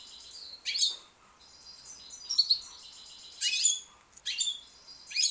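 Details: British goldfinch, a young white bird, singing in short bursts of high twittering and buzzy rasping notes separated by brief gaps.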